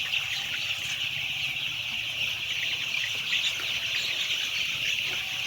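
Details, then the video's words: About 10000 white chicks cheeping together, a dense shrill wall of overlapping high peeps that never pauses. "10000 White chick's 🐤"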